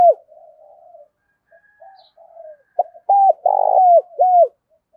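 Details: Spotted dove cooing as a lure to provoke fighting, with a deep 'thổ sấm' style voice: soft low murmurs, then loud hooked coos with one long buzzy note in between, in a quiet setting.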